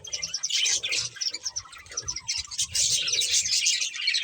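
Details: Breeding pair of budgerigars chirping steadily, a dense run of fast, high warbled chirps and twitters with short pauses, faint low thumps beneath.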